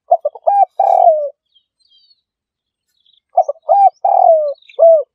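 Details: Spotted dove calling as a trapping lure: two repeated phrases of quick low stuttering coos, each ending in a long sliding coo. Faint high chirps of other birds fill the pause.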